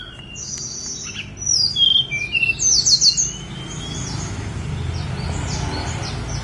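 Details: On Songgo Langit mountain, a Snowy-browed flycatcher delivers a rapid jumble of high, thin, zigzagging whistled notes, loudest in the middle, over a low rumbling background.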